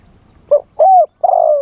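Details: Spotted dove used live to lure wild doves, wild-style song: a short soft note, a smooth arched coo and the start of a long drawn, slightly falling coo, cut off at the end.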